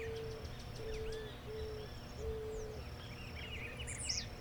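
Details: Eared dove (Zenaida auriculata) singing in Brazil: soft, low, even coos about every half-second to second, with twittering and thin whistles from other birds and a low background rumble.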